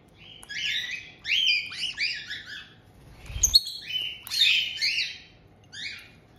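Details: Captive White-bellied caiques at a breeder's home in Tokachi, Hokkaido, June 2023: a resident pair welcomes a chick just over two months old. Quick bright chirps and short squawks run in overlapping bursts, with one soft thump midway.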